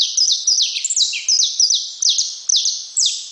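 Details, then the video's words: Saffron finch delivering a fast, ringing series of high descending chirps, some notes stretched into longer slurred whistles, repeated about twice a second. "Canário da terra"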